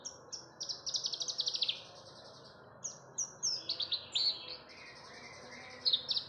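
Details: Javan bush lark song used to lure other birds into singing: rapid bursts of thin, high chirping notes in fast runs, broken by short pauses, over a faint low hum.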